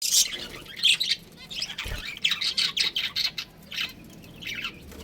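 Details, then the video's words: Budgerigars, a breeding pair kept as pets, chirping; scratchy squawks and bright chirps in irregular bursts, with a brief low thump near the two-second mark. "Adorable Budgies Chirping Sounds"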